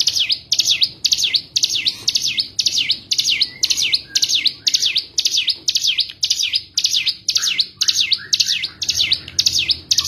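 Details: Cigun song used to make a bird that has gone silent sing again: continuous, evenly spaced high sweeping notes dipping and rebounding, about two per second for ten seconds, some fainter lower notes, low hum.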